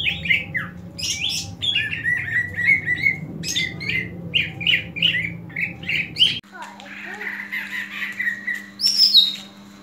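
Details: Fighting call of a greater green leafbird, used to train the fighting spirit of other leafbirds: about six seconds of quick, sharp whistled and chattering notes, then a quieter stretch with a steady low hum and one late squeak.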